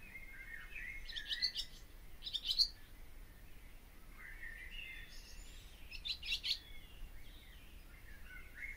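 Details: Barn swallow song: scattered bursts of high, scratchy twittering notes in short clusters, separated by thinner sliding whistles lower down, over a quiet background hiss.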